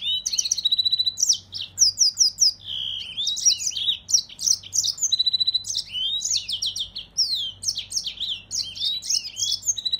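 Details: Yellow-fronted canary (Crithagra mozambica) sings a fast, continuous jumble of high, sweet trills, twitters and slurred whistles, with a faint low hum behind.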